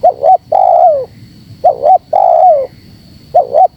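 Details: Spotted dove calling to provoke wild rivals, tight-pressing style: paired short coos, then a drawn-out coo that slides downward, given three times in quick succession, with a thin constant high tone behind.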